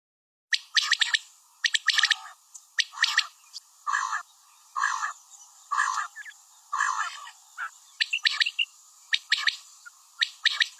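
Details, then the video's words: Female common quail calling: harsh, raspy bursts in quick clusters of clicking notes, repeated about once a second with short gaps, over faint background hiss. "Batair Ki Awaz | Common quail Calling| Female Quail sounds"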